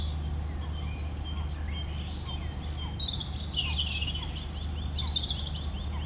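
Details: European robin singing: thin, high, rapid warbled phrases of quick rising and falling notes, starting about halfway through and continuing to the end, over a steady low rumble of background noise.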